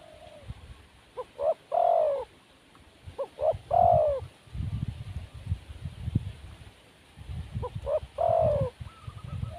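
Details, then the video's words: Wild spotted dove giving coo phrases: two short notes then a longer, slightly falling coo around mid pitch, repeated twice with a gap; low rumbling background noise throughout. "Burung Tekukur Liar Kurang Mental"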